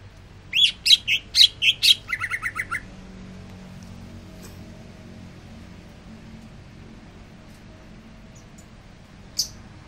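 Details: Greater green leafbird, a caged bird resting after being sunned, gives a quick burst of high, sharp, rising-falling chirps followed by a run of lower clipped notes, then near silence with one faint distant chirp.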